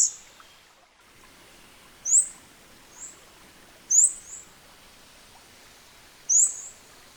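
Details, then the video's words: Scarlet-backed Flowerpecker (Dicaeum cruentatum) recorded in its natural habitat in Southeast Asia: sparse, very high thin notes, single or paired, spaced a second or more apart, over a quiet background. "later in the video you can hear the song of this incredible species captured directly in its natural habitat"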